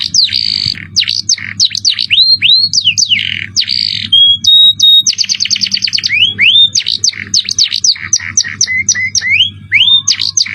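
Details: Canary pouring out cengkok mewah tutor song with shrill jerih notes: quick sweeping whistles, a brief pure tone, dense rapid trills and scattered rising slurs, with a constant low hum behind.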